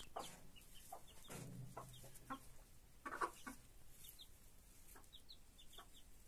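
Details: Broody hen with her chicks, a foster mother hen raising young: short low clucks in loose bursts, the loudest near the middle, with thin high chick peeps scattered over the background throughout.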